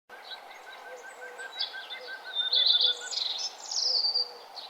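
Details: Morning birdsong along a nature trail as the sun rises; a row of soft repeated notes runs throughout, then louder trilling, warbled phrases build from the middle to the end over faint background hiss.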